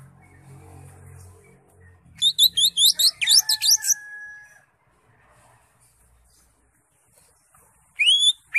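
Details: A greater green leafbird delivers a ngekek-style burst of rapid high chirps followed by sharp, sweeping whistles, after low background murmur, then quiet and a final pair of high rising notes.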